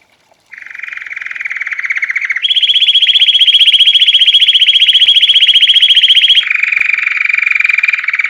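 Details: Belgian canary, white, in classic bell-style campainha song meant to train birds after moulting. After a short pause comes a lower rolling trill, then a jump to a louder, higher roll held for four seconds, then a drop back lower.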